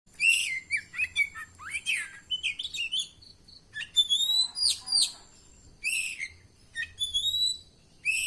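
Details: Oriental magpie-robin, known locally as kacer, singing a varied, high-pitched song of sharp whistles, rising and falling slurred notes and brief chattery bursts, delivered in short phrases with gaps between them over a faint low hum.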